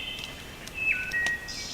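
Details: Several Wood Thrushes sing at an evening campsite as it grows darker, with clear, flutelike whistled notes, some sliding down in pitch, ending in a high buzzy trill, over faint outdoor background noise.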